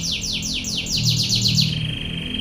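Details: A canary sings about ten quick descending whistled sweeps in a row, then slides into a steady high rattling trill, from a training recording of its 'tembakan ngebren' rolling song; faint low hum behind.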